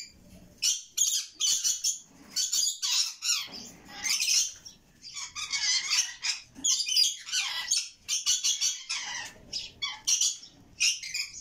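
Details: Red lory chicks giving harsh, hissing raspy begging calls in rapid bursts, each about half a second long, repeated almost continuously with brief gaps.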